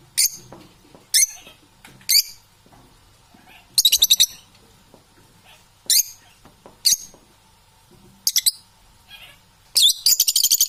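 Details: Parrots calling: repeated short, high squawks and rapid chirping rattles every second or so, ending in a longer fast trill.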